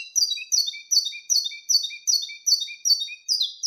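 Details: Saffron finch giving its canto mateiro wild-type song: evenly spaced, bright downslurred notes about every 0.6 seconds, each followed by a quieter lower note, forming a regular rhythmic pattern.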